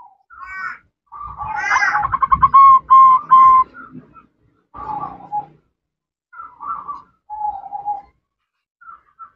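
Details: Female zebra dove calling to the male, with ngerot, nretek and manggung call styles; short rolling notes near one pitch break into a fast stuttered burst of pulses, then quieter separate coos with pauses, some low thumping beneath.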